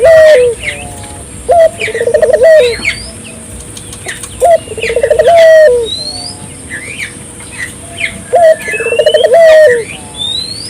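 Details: Energetic Barbary dove cooing played to encourage nearby local doves to call; short rising note, then a vibrating trill and long descending coo, repeated in spaced phrases, high twittering birdsong scattered throughout.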